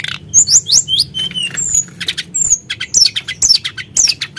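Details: Sunda blue robin provoked into song, delivering rapid high slurred whistles and sharp chirps in quick irregular bursts, with loud notes sweeping up and down at a lively pace.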